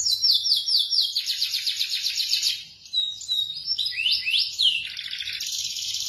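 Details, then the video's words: Local Indonesian canary song: a long fast rattling trill, a brief pause, then rising whistled sweeps and a sustained high buzzy trill, clear and loud. "Suara kicau KENARI yang MERDU"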